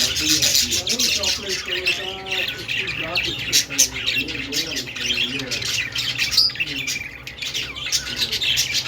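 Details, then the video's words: Budgerigar singing: a steady, busy chatter of high, scratchy warbles and squawks that goes on without a break, with softer, lower warbled notes running beneath. "Budgie sounds Budgie singing"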